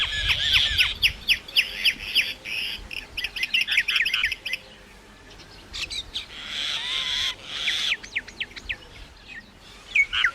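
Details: Myna chattering continuously with rapid clicks, squawks and whistled slurs, a busy repeated stream, then a brief lull and more harsh bursts.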